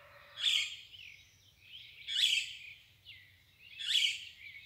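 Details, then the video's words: Morning birds sing three rich, buzzy phrases at a fairly steady pace of about one every one and a half seconds, linked by softer trills, over a low hum. "O canto das aves al amanhecer"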